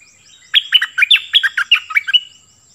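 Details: Cream-vented bulbul, a caged decoy bird, singing in excited form: a quick run of about ten short, bubbling warbled notes lasting under two seconds, with a steady thin high whine behind.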